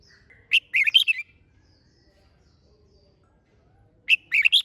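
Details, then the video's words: Lively red-whiskered bulbul song for stimulating other bulbuls to sing hard: a quick phrase of five chirpy, warbling notes, a pause of about three seconds, then the next phrase begins. "Chào Mào Hót - Kích Chim Hót Xung"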